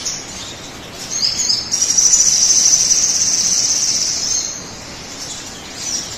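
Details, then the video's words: Crimson sunbird song, played to stir other birds to sing. A few high chips lead into a sustained, intense, very high trill of about three seconds that fades into soft twitters. "pancingan suara burung sogon agar cepat bunyi"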